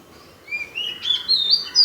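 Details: Unknown bird in Paripally, Meenambalam, Kerala, giving a short phrase of clear whistled notes that step upward in pitch, ending on a high bright note.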